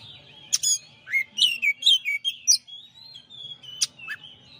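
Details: ['Oriental magpie-robin, a champion bird in a master recording, sings scattered phrases of sharp high clicks and loud down-slurred whistles, with a quieter wavering whistled thread between bursts and faint low background hum.']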